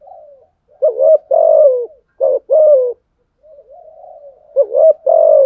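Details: Spotted dove cooing to challenge rivals: three phrases of a brisk rising note and a long descending coo, separated by quieter, wavering low murmurs.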